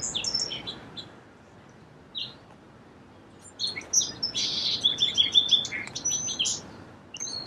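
A song sparrow sings a high, bright phrase: a few clear opening notes, a brief buzzy stretch, then a quick jumble of chips and trills.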